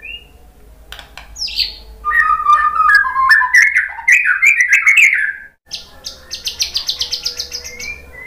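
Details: White-rumped shama singing to stir other shamas: varied fast warbling phrases mixing whistles and sharp clicks, a brief silence, then a rapid string of high repeated notes.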